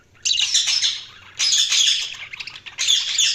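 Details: Budgerigars chattering in a harsh, scratchy warble: three bursts of dense, noisy squawks and chirps, each lasting about a second, with a short quiet gap between them.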